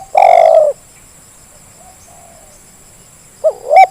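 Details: Zebra dove lure for reluctant callers: a long falling coo, a quiet pause with faint soft notes, then the start of the next phrase with two short rising coos, over a steady high hum.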